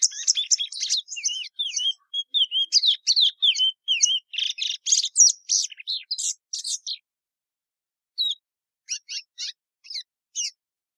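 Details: Long plumbeous seedeater song phrase: quick sequences of high whistled slurs and buzzy chirps for about seven seconds, followed by scattered short sharp notes after a pause.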